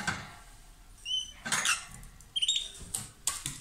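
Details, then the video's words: Loud calling from a lovebird pair while kissing or trading food: short clear whistled chirps, some with a bright overtone, alternating with scratchy rasping bursts. "Gli inseparabili | 20minutes Love birds Sound"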